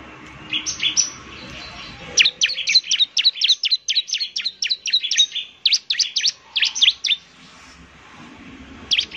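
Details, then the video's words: Bar-winged prinia song used as a lure sound, semi-active singing: rapid series of high, sharp descending chirps repeated about four per second in bursts, with quieter chatter before. "pancingan suara ciblek semi gacor"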